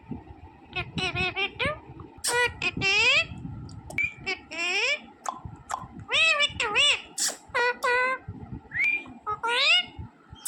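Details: A smart green talking parrot chatters in rapid strings of speech-like syllables and sweeping whistled notes, bursts separated by brief pauses, with some faint human voices in the background.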